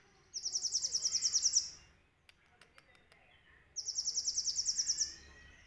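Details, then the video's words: Caged sunbird, a kept pet, singing a masteran song filled with cililin phrases, used to train other songbirds: two loud, clean bursts of rapid, high, even trilled notes, each about a second long, separated by faint clicks. "MASTERAN asli KOLIBRI NINJA GACOR||isian full Nembak CILILIN ||Suara nyaring bersih durasi panjang"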